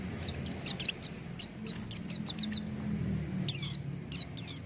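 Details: Oriental white-eye (pleci) singing: a rapid run of faint, high descending chirps followed by one louder, sharp falling note and a few more soft twitters, over a hissing background.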